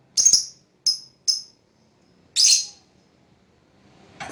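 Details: Lovebird fighter, used as a lure for other lovebirds: three short, shrill chirps in quick succession, then one longer raspy screech, followed by a faint rustle.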